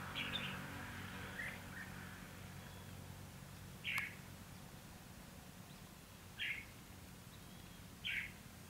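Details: Red-whiskered bulbul recorded on 29 February 2016 during a trap-fight with a wild bird: short, bright chirped bursts repeat every two to four seconds over a steady low rumble and faint insect hiss.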